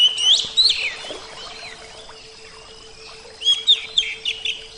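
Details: Oriental magpie-robin singing a short flourish of bright, sliding whistles, followed by a hushed gap over a low steady hum and a second rapid cluster of chirped notes near the end.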